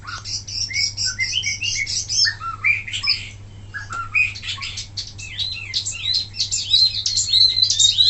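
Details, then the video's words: Wambi mini singing non-stop for training other birds: a dense, fast jumble of high chirps, twitters and short whistled slides at varied pitches, with a low hum throughout. "suara asli wambi mini tembakan mantap buat masteran"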